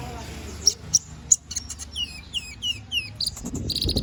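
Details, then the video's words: Canary singing 'gacor ngobra' for use as magpie robin master song: a few sharp high chips, then a series of repeated downward-sweeping whistles, ending in a rapid buzzy trill. "Suara BURUNG KENARI GACOR NGOBRA!"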